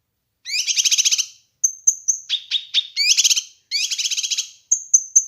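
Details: Master and lure recording of a kinoi bird: harsh buzzy trilled phrases alternating with thin high whistled notes and a few sharp clicks, the rattling bursts recurring about once a second, no other sounds.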